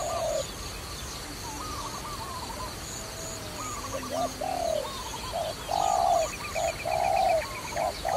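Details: Dove in a trapping setting: higher chattering chirps dominate the first seconds, then deep smooth coos grow louder, short and long notes alternating, with a thin high trill behind late on.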